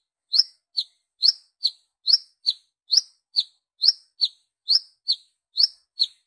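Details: Brown-throated sunbird wiceh call, used as a lure that calls other sunbirds: steady paired high chirps, a sharp upswept note then a shorter lower one, about seven pairs repeating evenly without other sounds.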